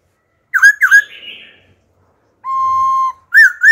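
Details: Old wild-caught laughingthrush singing wild-style phrases, switching voice to stimulate other birds and train young birds: two loud arched whistles, a fading buzzy trill, a pause, then a steady flat whistle and further arched notes.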